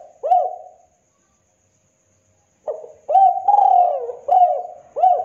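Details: Spotted dove, a tekukur of the KUK 2 song style used as a master and lure for trapping: a mellow cooing phrase, a pause, then several short rising-and-falling coos in quick succession, clean background.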